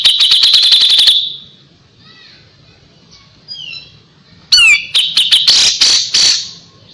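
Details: A kapas tembak opens with a quick string of ringing staccato notes, then soft warbled whistles, and finally harsh, squealing bursts and chattering. This master song is played for young white-rumped shama to learn from.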